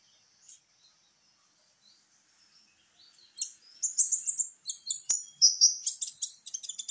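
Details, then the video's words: Caged champion sunbird, known to keepers as kolibri ninja, singing to lure other birds into song: a few faint high notes, then from about 3.5 s a quick run of sharp, very high chirps and short whistled slurs. "pancingan para master juara kicau burung kolibri ninja"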